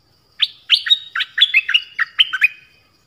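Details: A nok dok taeng songbird gives a quick run of bright, chirpy whistled notes in mid-high pitch, about eight or nine in two seconds; a song played for young birds to copy and to lure wild birds.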